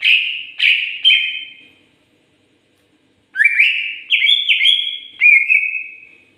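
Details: Greater green leafbird singing actively: three quick, bright, descending whistled notes, a pause, then a fast run of clear whistles that step up and down in pitch and end on a held note.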